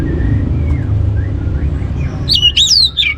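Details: Orange-headed thrush singing to stimulate other birds to sing: a steady low hum, a few faint thin whistles, then loud high slurred whistled notes rising and falling near the end.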